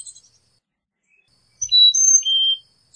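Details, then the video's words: Carolina chickadee giving a single high whistled song phrase, a few clean notes stepping down in pitch, preceded by a faint snippet of another. "Carolina Chickadee Song! Carolina Chickadee Call!"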